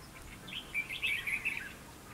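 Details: Red-whiskered bulbul singing as a trap decoy to provoke fighting: a quick run of clear, warbling notes rising and falling over about one second.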